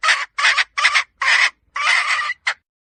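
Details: Hen giving loud, rasping squawks: six harsh, noisy notes at irregular intervals, ending with a short clipped note, in an otherwise quiet setting.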